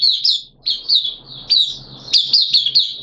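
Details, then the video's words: Oriental white-eye, caged, recorded 13 September 2022 during the second day of monthly deworm treatment; a short stretch of bright, slurred high chirps, roughly one and a half per second. "Mata Puteh T Rex Buka Sing"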